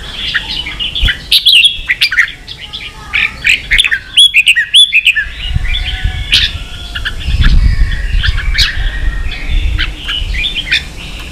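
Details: Vietnamese cage-kept red-whiskered bulbul stirred into a fierce singing contest: rapid bursts of liquid, warbling notes and crisp chirps, repeated in clusters, with a low rumbling noise rising midway.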